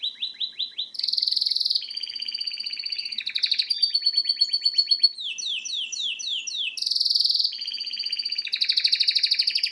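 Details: A male pet canary sings live while watching a video on TV, with rapid trills and rolls changing every second or two, bright repeated notes, buzzy phrases and descending slurred tours, high and continuous.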